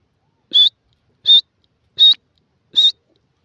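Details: Francolin, named locally as Irani teetar or yellow francolin, giving four loud, high, piercing notes, each short and evenly spaced about three-quarters of a second apart, against near silence.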